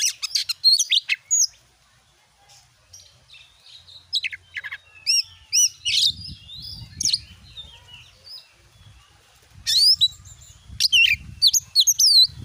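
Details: Lure song of a white-rumped shama, played to make a kept bird start singing: varied sharp whistles and upswept notes in scattered bursts, with quiet gaps between phrases.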